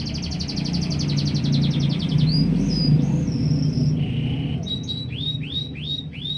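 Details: Canary in full song: a fast buzzy high trill, then drawn-out clear whistles at different pitches, then a run of slurred notes repeated about four times a second, over low background hum.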